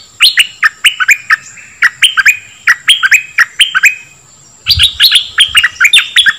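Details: Bird singing the 'dok taeng' song meant to train young birds and make them lively: crisp, repeated whistled notes with quick inflections, a pause near four seconds, then a faster higher phrase; faint steady high tone throughout.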